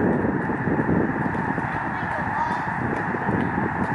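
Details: A huge flock of migrating Canadian snow geese rising together over Lake Springfield, Illinois, gives a steady roaring din of overlapping nasal honks, rising in pitch and volume, audible for miles along the shore; a person's voice faintly mixed in.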